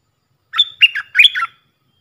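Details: Decoy Puff-throated bulbul used to train young birds gives a single lively phrase: a high whistled onset, then rapid, slurred, downward-bending chirps lasting about one second, on a quiet background.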